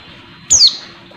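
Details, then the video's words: Female Oriental white-eye calling to excite a male: a single thin, high whistle sliding steeply downward, lasting about a quarter second, over faint background hiss. "pleci betina buat menaikan emosi pleci bahan"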